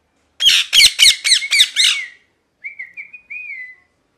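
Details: Parrot producing a quick run of six raspy chirps, then softer wavering whistled notes trailing off.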